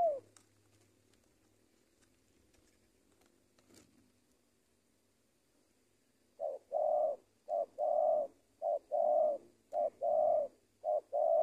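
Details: Six seconds of near silence with a faint low hum, then a spotted dove used as a lure bird starts cooing rhythmically, short and long mellow notes alternating in a quick run.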